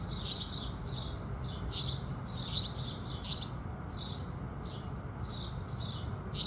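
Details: Morning chorus of house sparrows at sunrise, short high chirps in loose repeated groups, irregularly spaced, with a soft low hum underneath.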